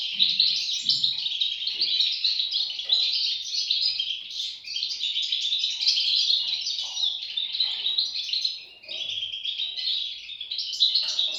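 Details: European goldfinch chicks begging: a dense, continuous chorus of high, rapid, overlapping chirps and twitters, almost unbroken through the recording, with a short dip in loudness near the end and faint low thumps early on.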